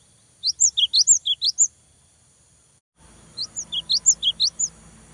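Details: Cinereous tit in lively song used to stimulate other tits to sing: two runs of about eight rapid, high, see-sawing whistled notes, each lasting just over a second, with a short gap and light background hiss.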